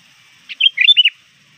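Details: A sooty-headed bulbul, trained lure bird, calls to rivals near dusk with one lively phrase: a brief rough note, then a quick tumbling series of loud, rounded whistled notes.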